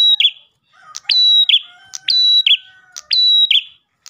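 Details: Energetic Ash tailorbird song for luring rivals. Loud phrases, each a clicking start, a flat piercing whistle and a rasping slide down, roughly one per second, over a faint lower whistle.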